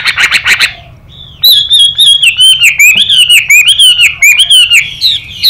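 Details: Chinese hwamei, male song with a female's hissing 'xùy' call. Opens with five fast, harsh buzzy bursts, then after a pause a flowing series of pure wavering whistles, evenly spaced and fairly level in pitch.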